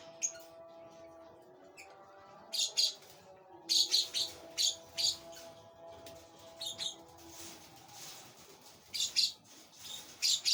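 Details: Lovebird chick, a parblue opaline pale fallow, being fed in a flight cage. Short, harsh, high chirping bursts come in irregular clusters over a steady low hum.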